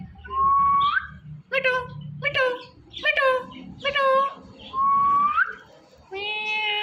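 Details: Pet talking parrot indoors mixes rising whistles with rapid, harmonic, speech-like syllables in short bursts, ending on a nasal, drawn-out vocal note.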